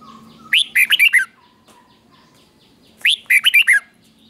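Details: Red-whiskered bulbul singing a doubled song for teaching young birds: two bright phrases about two and a half seconds apart, each a rising whistle then four rapid warbled notes, over a soft low hum.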